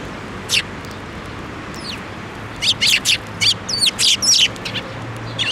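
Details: Hand-feeding sparrows at a Tenmangu shrine on 7 May 2024; scattered high chirps build into a rapid series of sharp, slurred notes in the second half, over a faint low hum.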